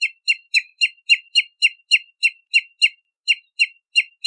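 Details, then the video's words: Bahama mockingbird repeating a short bright note with rich overtones roughly four times a second, steady and evenly spaced with one brief pause, no other sounds. "Bahama Mockingbird Song! Bahama Mockingbird Voice! - Sinsonte De Bahamas Canto"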